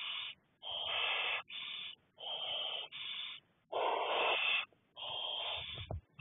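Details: Barn owl chicks (six owlets) being fed by a parent on 2nd May 2020: rapid run of harsh hissing rasps, about seven bursts of varying length in quick succession, with light shuffling at the end.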